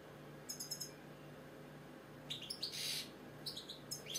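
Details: British goldfinch singing: short bursts of bright, high-pitched tinkling twitters near the start, then a denser run of sharp chirps and twittering notes in the second half, over a faint steady high tone and quiet low hum.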